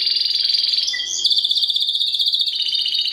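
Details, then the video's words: Domestic Timbrado canary song: a fast, even rolling trill held for several seconds, broken once by a brief higher note and a short lower whistle before the trill resumes. "CANARY SINGING"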